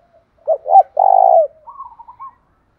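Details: Spotted dove song in the 'thổ pha' (thổ đồng) style, played to quickly stir a newly caught bird into cooing: two short low coos, then a long throbbing, vibrato coo, and a softer, slightly higher broken tail of notes. Otherwise quiet.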